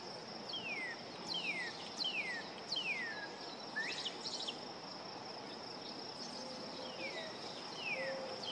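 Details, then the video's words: A juvenile Painted Bunting sings at a local park, a loose series of high, down-slurred whistled notes, several a second, over a steady high insect drone. "Juvenile Painted Bunting singing"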